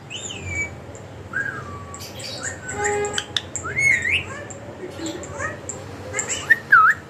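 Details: Pet ring-necked parakeet producing scattered whistles and squawks, with looping high notes and a few harsh bursts spread across several seconds, a quiet room hiss beneath.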